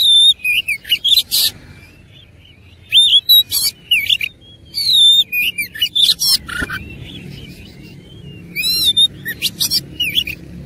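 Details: Fighting oriental magpie-robin giving a rich, varied song: loud clusters of whistled slurs, buzzy bursts and quick trills, delivered in energetic phrases separated by short gaps.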